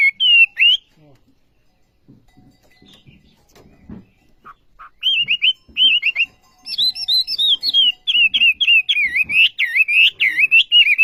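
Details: Olive-backed sunbird in active song: an opening twisting whistle, a quiet pause with faint thumps, then a few spaced chirps and a fast, high, tumbling twitter.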